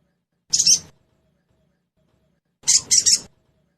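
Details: Sogon (crested jay) in trotol style, lure recording meant to make a bird start singing fast: a brief harsh rasping burst, then after a pause a longer triple-pulsed scratchy phrase; quiet surroundings.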